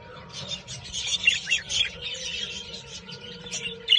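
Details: Budgerigars of different colour mutations chatter constantly with overlapping high warbles, chirps and scratchy notes.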